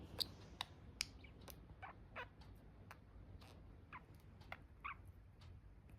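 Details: Budgies chirping: a steady run of bright, short chirps and squeaks about every half second, some sliding downward, over a soft low hum.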